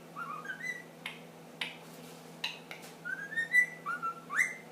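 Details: Pet ring-necked parakeet, ten months old, whistling indoors: short rising whistles broken by sharp clicks, then a lively run of whistled notes climbing to a loud final upsweep.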